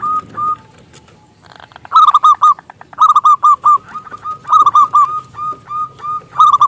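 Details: Local zebra dove with a big voice, used as a lure to invite other doves to sing: repeated bursts of hooked cooing notes in groups of three or four, interleaved with softer single coos, over low background noise.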